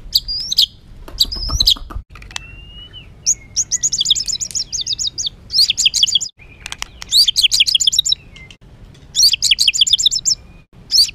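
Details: A white-rumped shama in a rough, emotional song for provoking birds: high chirps, thin drawn-out whistles, and dense chattering trills in bursts separated by short gaps.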